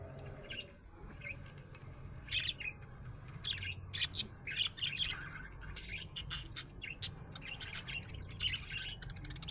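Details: A happy budgie chatters in clusters of short, high, scratchy chirps and clicks, busiest in the middle, with a noticeable low hum throughout.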